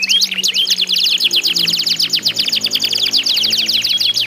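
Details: Competing canaries sing to draw other canaries into song. Rapid buzzy trills of steep high chirps pour out without pause over a faint low hum.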